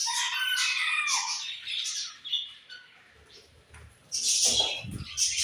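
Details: Budgerigars chattering, high buzzy warbles and squawks fading to near quiet, then a loud burst of overlapping chirps with low clatter.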